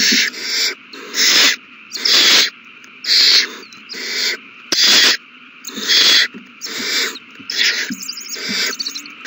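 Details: Several owlets feeding at their nest, 27 March 2020: rasping broadband hisses about once a second, some longer and louder, with a constant background hum.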